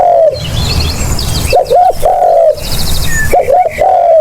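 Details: Lure recording of a spotted dove: three mellow coo phrases, a long sliding coo followed by paired short notes and another drawn coo, over low rumbling noise and faint high bird chirps.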